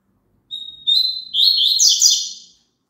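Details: Song of a double-collared seedeater, intended as playback for a pet bird to sing along with. A drawn-out high whistle slides into two bursts of fast, twittering, buzzy notes across two seconds, in a silent background.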